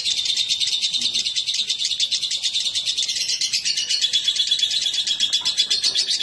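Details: Lovebird pair, male with female after being brought together, chattering in a steady high-pitched buzz of squeaky notes that grows slightly louder in the second half.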